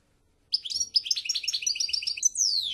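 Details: After a moment of silence, a European goldfinch bursts into a quick, liquid twitter of chirpy notes and finishes with a sweeping downward whistle.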